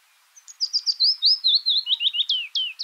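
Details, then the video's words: Willow warbler singing a single cascading phrase. Soft, clear notes start high, then run down the scale in a smooth, liquid series and finish with a few stronger down-slurred notes. "طائر نقشارة الصفصاف (تكتك) هازجة الصّفصاف الصُّغرى (معلومات وصوت الطائر)"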